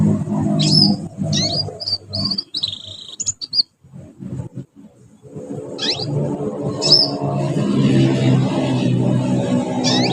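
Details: A young canary learning to sing gives a string of quick, high chirps and short whistled notes, some in rapid bursts, with a pause mid-way, over steady low background noise.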